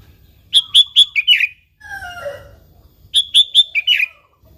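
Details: Sooty-headed bulbul singing as a lure for other bulbuls: two matching phrases of three clear level notes ending in lower slurred notes, with a softer descending warble between them.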